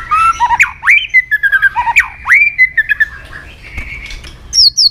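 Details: Murai batu, the white-rumped shama, in a song meant to stir aggression: clear whistled phrases with sharp upslurred and downslurred sweeps, short staccato notes in between, ending on a high twittering flourish.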